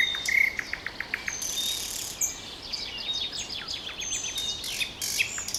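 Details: Nightingale trilling: a quick series of short clicking notes, then a fast run of thin descending notes, with buzzy high notes and other faint song around.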